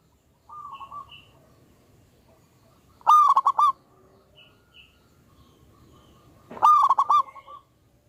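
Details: Local wild zebra dove with a big voice, actively singing on a lure recording: two loud, rapid stuttering phrases about three and a half seconds apart, with softer cooing before and between them.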